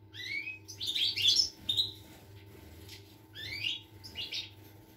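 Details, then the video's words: European goldfinch, 25 August 2021, giving a song of quick high chirps and slurred twittering notes in two bursts separated by a pause, with a steady low mains-like hum throughout. "Chardonneret , El jilguero , bird , cardellino pezzato , GOLDFINCH SONG"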